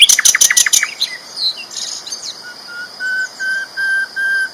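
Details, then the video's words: Sikatan londo flycatcher song: a loud rapid run of sharp chirps, softer warbled notes, then a string of quiet lower whistles evenly spaced about every half second. "BURUNG SIKATAN LONDO GACOR ISTIMEWA KERAS LANTANG"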